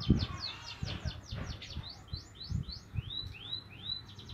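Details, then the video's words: Young Javan munia learning to chirp: a series of short, high, arching chirps, quick at first then spaced about every half second, over a low rumbling background. "anak emprit kaji belajar ngeriwik"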